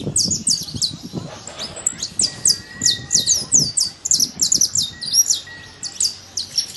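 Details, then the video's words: Free-living saffron finch in nature delivering a long series of bright, high, clipped chirps at a quick even pace, with a faint steady whistle-like tone underneath. "Canário da terra livre na natureza"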